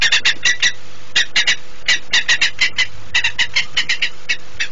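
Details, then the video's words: Saker falcon calling in flight over PKN Orlen, Płock, Poland, 24 September 2017, 09:13, with another falcon circling: clusters of loud, rasping scream notes in quick groups of two to four, separated by short gaps. "Saker flew screaming"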